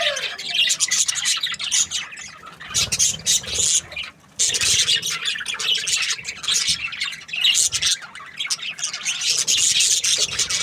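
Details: Budgies in the breeding season give a thick wall of shrill chirps and chattering squawks, loud and unbroken, with a short quieter lull around the fourth second.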